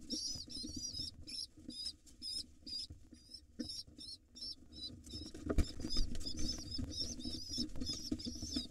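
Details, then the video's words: Begging from hungry wild rock pigeon chicks fed by their dad: choppy high squeaks, then longer quavering squeals as the excitement builds, with muffled thumps and fluttering beneath. "Overly excited, cute and hungry pigeon nestlings get fed by their Dad."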